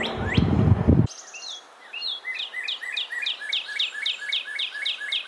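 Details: Northern Cardinal, eastern North America backyard, singing a string of clear, downward-inflected whistles, about three per second, each dropping from high to mid pitch; a man speaks briefly at the start.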